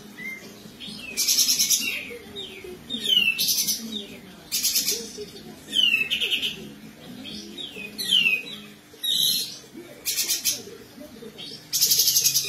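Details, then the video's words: Lemon-bellied white-eye in strong song: quick, high descending whistles broken every second or two by loud, harsh rasping bursts, over a faint low hum. Used as a training song for other cage birds. "BESETAN KAPAS TEMBAK GACOR"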